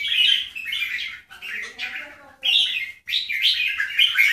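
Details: Bulbul in a comparison of Keke and Golden Voice jambul types: loud, fluty chattering phrases in three bursts, with a faint lower murmur between them.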